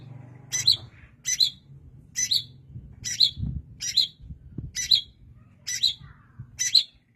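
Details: Eight crisp, high-pitched chirps from a long-tailed shrike, evenly repeated just under once a second, with a soft low rumble in the background.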